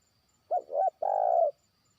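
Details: Single phrase from a trained spotted dove calling a faraway rival: two short hoarse coos then a half-second, level, throaty croon.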